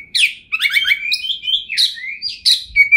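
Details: Kacer (Oriental magpie-robin) singing, a 2021 champion with luxurious varied material. Dense, slurred warbling with buzzy rising and falling notes runs almost unbroken, ending in a short pure whistle.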